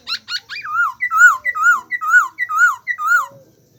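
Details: Bird calling in a steady series of about eight notes, a few sharp high chirps first, then loud wavering rising-and-falling whistles, each roughly a third of a second, with quiet ending.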